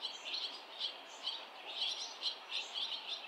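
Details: Barn swallows crowding a street of nests during fledging, with parents and other young coming near a remaining nestling; soft, high twittering chirps in short, irregular clusters, fairly distant, over steady low background noise.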